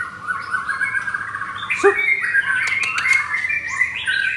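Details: Caged blorok white-rumped shama with double rings in Kemayoran, Jakarta, Indonesia, morning of 19 May; dense, varied warbling of sustained whistles and quick chattering notes run together without pause.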